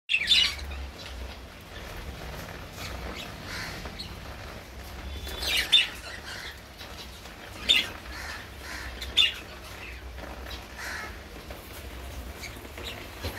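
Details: A pair of budgerigars give a few short, sharp high chirps, spaced seconds apart, over a low background hum.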